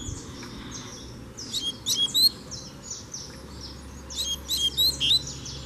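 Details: Free double-collared seedeater challenging a caged bird during fighting-spirit training. Two spaced bursts of clear whistled notes and sharp chips are separated by a quieter gap, with a low hum throughout.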